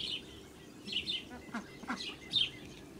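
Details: Recorded 8 July 2017 on a farm: a few loud, high peeps from blue Muscovy ducklings beside their mother, spaced about every half second, with a brief low rustle in the middle.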